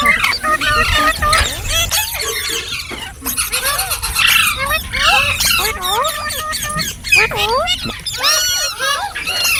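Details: Ringneck green parrot chirping with shrill squeals, rising-falling whistled calls and scratchy chatter, series of arched notes toward the end, steady background hiss.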